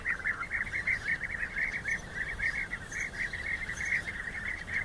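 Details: A chorus of rolling, purring calls from European bee-eaters in rival fights, pulsing in loud waves about once a second.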